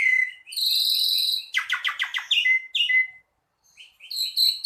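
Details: Javan pied starling song: long buzzy harmonic notes, then a rapid, rattling series of sharp clicks and squeaks, a thin whistle, a short pause and a few chirps.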